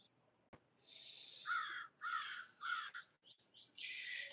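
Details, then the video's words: A crow gives a quick series of about four harsh, hoarse caws, each roughly half a second long, over faint background hiss in a garden where many crows come around, sounding angry. "It sounds like a crow."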